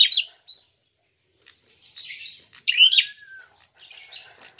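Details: Prinia calling aggressively as a lure to provoke other birds: scattered high chirps and buzzy squeaky notes with gaps, one sharper cluster of notes over a low whistled slur, and soft background rustling.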